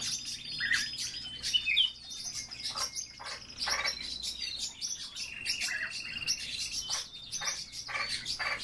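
European bee-eaters give rolling, liquid 'prruip' calls, several birds overlapping in a busy chatter with short high bursts throughout.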